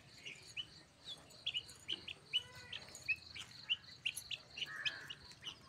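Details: Young helmeted guineafowl, 4 to 5 months old, give a busy stream of short, high chirps and squeaky notes.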